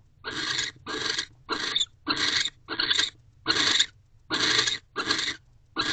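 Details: Breathy rasping screeches from a barn owl in its nest box, 18 December 2023 at 9:11 pm, when the male returns, mates and guards the entrance; a rhythmic run of short noisy bursts with faint background hum.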